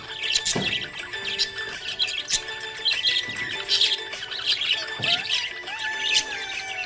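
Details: Happy budgerigar chirping: dense bursts of bright, high twittering notes and short squeaky chirps in quick irregular succession, over steady background music.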